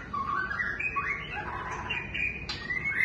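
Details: Rising and falling whistled phrases from a white-rumped shama, rich and fluty, ending with a sudden sharp high note, against constant low-pitched background noise.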